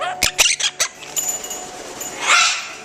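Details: Pet Quaker parrots at home chattering: a quick burst of four or five sharp, scratchy chirps and squawks, then a fainter, noisy rasping note trailing off.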